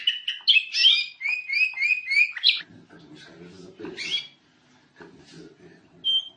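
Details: Canary master song for training other birds: a quick series of repeated whistled and buzzy notes for about two and a half seconds, followed by quieter scratchy, chattering sounds and a final short whistled note.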